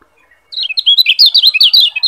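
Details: A Lombok yellow white-eye (kecial kuning), heard as a tutor song, pours out a fast, high, twittering song of bright tumbling notes without pause after a brief silence.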